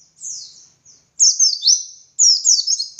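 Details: Dakun white-eye song for training other white-eyes: high slurred notes sweeping downward, a soft opening phrase followed by two loud rapid runs of descending chirps.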